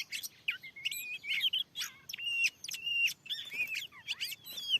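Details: Aggressive wild Oriental magpie-robin reacting to a lure on newly cleared land. Clear, pure whistled notes, several long and steady, mixed with quick looping slurs and a few harsh chips against faint background hiss.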